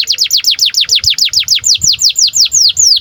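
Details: Canary in breeding condition, sung to prompt young canaries to sing: an even, rhythmic series of about five descending whistled notes per second, high and clear throughout.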